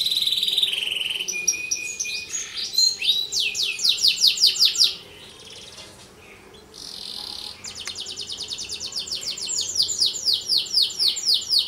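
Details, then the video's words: Canary song used as a master and lure recording for other canaries: long, rapid runs of high trills and rolling chirps, with a brief pause midway before another fast, repeated trill series. "Suara kicau Kenari Paling diCari buat Masteran, KANARI GACOR Pancingan kenari lain"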